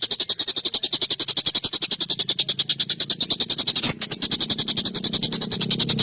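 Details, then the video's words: Collared kingfisher calling emotionally, intended for songbird training: a long, grating train of quick sharp notes with a short break late on and a faint low hum underneath. "SUARA TENGKEK BUTO GACOR EMOSI UNTUK MASTERAN PANJANG TAJAM KASAR"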